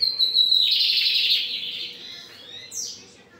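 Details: Lined seedeater (bigodinho) in strong song: a thin sustained whistle runs into a loud rasping buzzy trill that fades off, then a short high rising note near the end.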